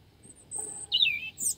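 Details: A robin singing in a tree at Avenham Park, Preston, 2019: a brief, high, thin phrase, a sustained whistle, then a quick falling warble and a few sharp squeaky notes, with no other sounds.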